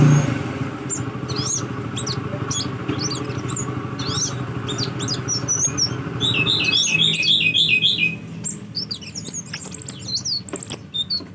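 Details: Sunbird, locally called kolibri, with scattered high chips early on, then a fast rapid trill of bright repeated notes lasting over a second, and softer chirps trailing after, over background hum.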